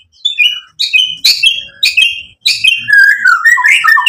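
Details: Energetic white-rumped shama song: short loud bursts of mixed chirps and whistles repeated about every half second, then a continuous warbling run of lower whistled notes.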